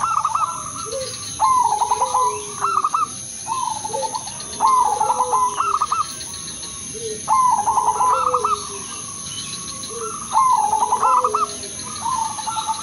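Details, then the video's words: Zebra dove, Udanmas silver crossing bloodline, singing a melodious lure phrase to prompt other zebra doves to sing: short bursts of rapid stuttering coos ending in a trill, each followed by a lower falling coo, repeated roughly every two seconds. "perkutut/merbok udanmas silver crosing irama merdu spesialis pancingan bikin semua perkutut manggung"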